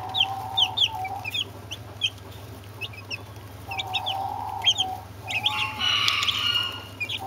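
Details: Several Brahma chicks and two Orpington chicks give scattered high, falling peeps, now sparse, now clustered, ending in a louder, harsher burst, with an on-and-off mid-pitched tone and steady low hum.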